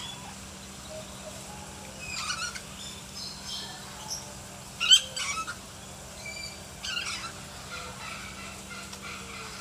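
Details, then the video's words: A lory (nuri) in a kept collection gives three harsh, screechy bursts a few seconds apart, over a steady low electrical hum. "BURUNG NURI GACOR"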